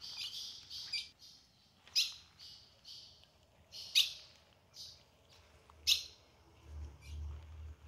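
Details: Female ultramarine grosbeak in the caatinga of the sertão, calling to draw out the male's song: harsh, buzzy high notes and sharp chips at uneven intervals, with a faint low rumble near the end.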